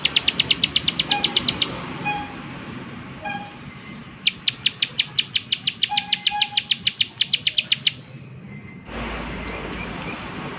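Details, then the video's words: Prinia 'klik klik' calling: dense trains of high, crisp clicks, with occasional soft lower notes between runs. The clip ends with a change in background and a few rising chirps. "Prenjak Klik Klik Gacor Suara Alam Dan Isian || Prenjak Klik Klik Pasti Nyaut"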